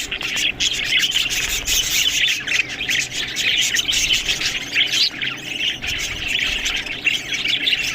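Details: Budgerigars eating green food, giving a dense, continuous chatter of squeaky, buzzy warbles and sharp chirps that overlap from many birds with no pause.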